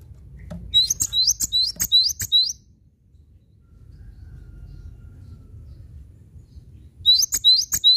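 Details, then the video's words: A cinereous tit sings a brisk phrase of roughly six high, ringing repeated notes, then after a long quiet stretch of low hum starts the same pattern again. "Masteran Gelatik Batu Gacor Mantap"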